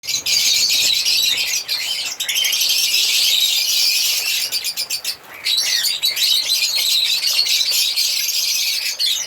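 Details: African lovebirds chirping and singing: a dense, continuous high-pitched chatter of rapid squeaky notes, with a short pause around the middle.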